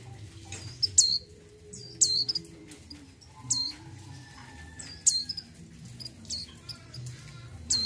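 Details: A breeding-condition female mountain white-eye calls for a male: high sharp downswept notes repeated roughly once a second, each followed by softer twitters, low hum underneath.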